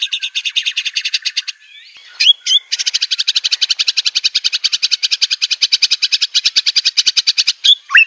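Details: Aceh white-rumped shama master song for training birds: a long, fast, buzzy rattle of rapidly repeated notes, broken once by a couple of sharp whistled accents. A clear upslurred whistle ends the clip.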